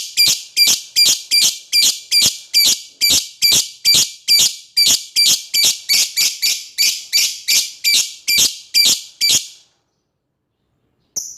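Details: Lovebird calling toward an opponent with a long, steady run of harsh, piercing notes, roughly two or three each second for about nine seconds, then a pause and one last short note.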